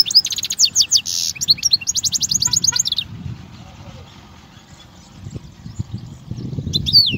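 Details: European goldfinch song used for teaching young goldfinches: rapid high trills and twittering notes for about three seconds, then near silence with faint low background rumble before a brief final twitter.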